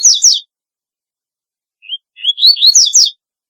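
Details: Uncaged double-collared seedeater singing: a brief burst of high, sliding chirps, a pause, then a faint lead-in note and a quick rising string of warbled, zigzagging notes. No other sounds.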